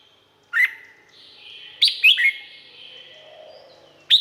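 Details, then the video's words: Red-whiskered bulbul, Thailand: a lone rising whistled note, then a lively three-note phrase, then the start of another. Clear reverberation hangs between the notes. "เสียงนกกรงหัวจุก สำหรับต่อ หรือ เปิดให้นกคึก เสียงเพราะๆ"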